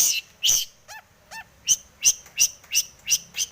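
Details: Long-tailed shrike in breeding condition singing a mimicry-filled song to provoke other birds: two harsh rasps, two soft wavering downslurred whistles, then a steady series of sharp scratchy chirps roughly three per second.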